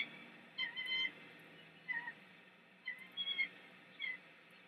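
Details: Female bald eagle at a Big Bear nest, mantling over a fish the male brought and calling to send him away so she can feed the chick; short harmonic, squealing chirps in spaced bursts, with a faint background hiss.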